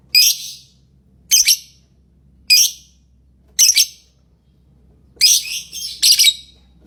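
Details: Chirping lovebird giving raspy, high, broadband squawks roughly every second, each with a doubled pulse, closing with a tighter run of three grating bursts; faint background hum.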